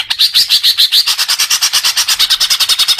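Greater green leafbird giving a fast, steady run of bright, high chattering notes, about eight per second, with no other sounds.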